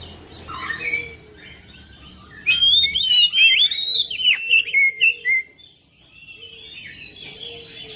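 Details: Oriental magpie-robin song played to encourage a quiet bird: a loud burst of fast, high whistled trills and twisting notes lasting about three seconds, with softer warbling before and after and a faint low hum.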